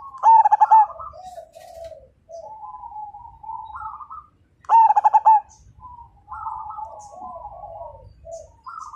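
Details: Zebra dove in full song, used to get other birds singing: two loud phrases of rapid pulsed cooing about four and a half seconds apart, separated by softer rising and falling coos from other doves.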